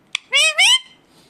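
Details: Indian ringneck parakeet giving two loud harsh squawking calls, each rising slightly, preceded by a short click, indoors.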